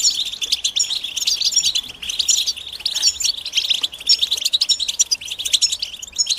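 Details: European goldfinch mating and readiness calls, used to stir silent males into singing: dense, continuous high twittering of quick chirps and trills, several voices overlapping without pause, with a short dip in intensity around the middle.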